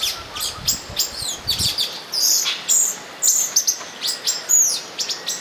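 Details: In São Bento do Sul, olive-green tanagers call during mating with rapid, piercing high chirps and short slurred squeaks, several overlapping in irregular bursts over faint background rustling.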